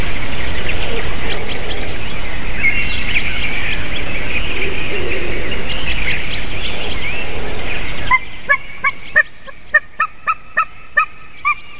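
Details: Dawn recording of a white-tailed eagle, 28 March 2019, 06:26. A noisy background of chattering songbirds and wind gives way to a rapid string of clipped, ringing yelps repeated several times per second.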